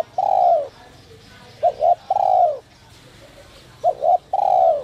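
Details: Spotted dove singing the 'giọng còi' voice meant to provoke wild doves to call. A long mellow coo, then two quick short notes and another long descending coo, repeated in steady phrases over a low background hum.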